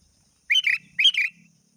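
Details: Sooty-headed bulbul calling a rival. It gives two quick, bright chirped notes, each a bubbly double burst, with a faint low hum behind.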